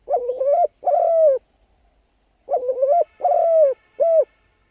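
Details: Spotted dove calling, used to attract wild birds: two phrases of a warbling coo followed by a long falling coo, the second ending with an extra short note, over faint low hum.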